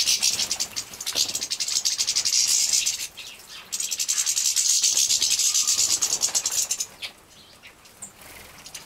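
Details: Young captive-bred European goldfinches at feeding time, Poland 2017, produce rapid, high-pitched rasping chatter in sustained bursts, then fall quieter for the final two seconds.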